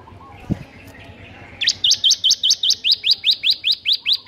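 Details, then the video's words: Bar-winged prinia (ciblek) with 'ngebern gacor' song used to teach sluggish birds: one low thump, then a long, regular series of about sixteen high, sharp notes, roughly three per second. "Ciblek NGEBERN GACOR"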